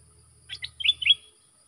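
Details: Red-whiskered bulbul training song for young birds: a short soft phrase of four notes, the last two louder and slurred, above a faint low rumble.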